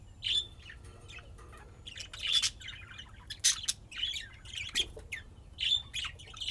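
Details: Budgerigars playing and chirping in Austin, Texas: busy stream of sharp chirps, clicks and warbling notes, several loud bursts close together, over a faint low hum.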